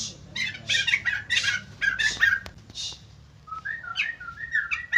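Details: White-crested laughingthrush in energetic song answered by other birds: loud grating chatter bursts, a pause, then a series of short, liquid whistled notes.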